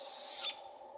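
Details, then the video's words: A juvenile Barred Owl in a British Columbia forest, calling for its busy parents, gives one harsh, raspy hiss of about half a second that fades away, over a faint low hum, with robins chirping nearby. "Juvenile Barred Owls Calling"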